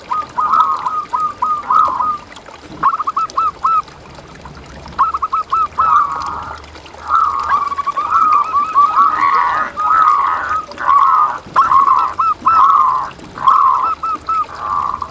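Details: Local zebra dove in full song, a master recording meant to train quiet caged doves: long runs of fast, bubbling coos repeated in phrases about every second, rising into louder rolling stretches, other similar cooing in the background.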